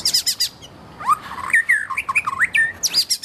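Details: A wild white-rumped shama sings a lively, melodious phrase. It opens with high thin trilled notes, then drops to swooping, slurred whistles that twist up and down. It ends with another high, sharp trill over a quiet background.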